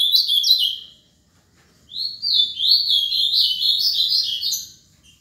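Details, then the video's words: High, fluid warble from a seven-year-old Ultramarine grosbeak kept as a cage bird in Paraná: one brief phrase, a pause, then a longer run of rising and falling slurred notes. "AZULÃO PARANÁ"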